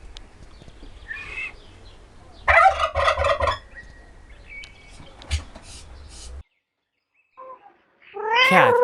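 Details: Turkey gobbling in a loud, rapid, rattling burst of about a second, with fainter calls before it, a low rumble underneath, a brief silence, then a harsh descending call at the end.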